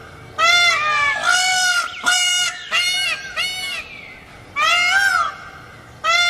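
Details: Indian peafowl gives loud, harsh, honking bursts, rich in overtones, repeated in quick succession with short gaps, some notes bending upward. A low background rumble is also present.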